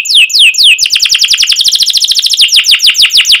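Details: Energetic canary 'cuit cuit' song with long rolling phrases, played as a master for young birds learning to sing: three falling slurred whistles give way to a dense, rapid trill of bright notes running to the end.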